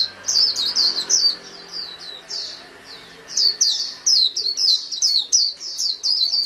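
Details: Thin, high twittering from a white-eye, softer chirps at first, then a sustained fast run of downslurred notes.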